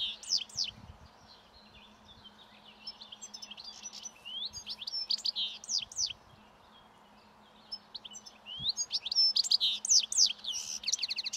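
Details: A wild European goldfinch feeding on last year's roadside thistle seeds as spring approaches sings its breeding song, rapid tinkling twitters and liquid trills, high and bright, in bursts with short pauses, over a faint steady hum.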